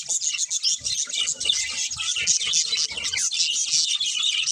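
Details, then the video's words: Several budgerigars chirping nonstop in a dense, high twittering chorus of quick warbled notes and chatter, with faint low thumps beneath. "Cute Budgies Chirping Sounds"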